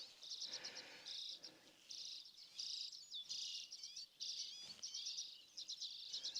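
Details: A Dunnock, very far away across a small gorge on a crisp April morning in western Norway, sings a rapid, high, jingling warble in short bursts that follow one another closely, with faint low background rumble.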